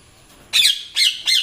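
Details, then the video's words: Young pet Indian ringneck parrot giving three harsh, rasping squawks after a quiet start, the last two shorter and closer together, each a broad grating burst arching up and down. "INDIAN RINGNECK PARROT NATURAL SOUNDS"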